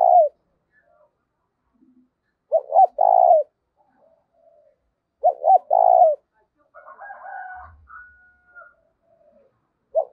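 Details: Spotted dove decoy, 'giọng thổ' style, for drawing in wild doves: low triple-note cooing phrases spaced a few seconds apart, with faint chirping from another bird in the pause.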